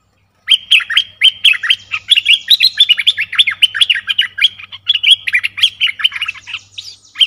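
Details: Streak-eared bulbul song: a dense, unbroken run of quick bubbly chirps and short downslurred notes, bright and scratchy, repeated rapidly for about seven seconds with no other sounds.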